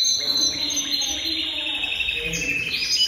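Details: Jasper (Jaspe) canary singing: bright, sustained whistled tones and fast rolling trills that hold high and steady, with brief higher flourishes near the end. Continuous song with no other clear sounds.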